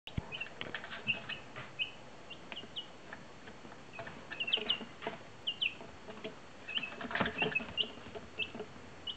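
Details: One-week-old chicken chicks peeping: many brief, high, slightly downslurred cheeps from several birds, coming irregularly and overlapping, mixed with soft scratching and pattering sounds.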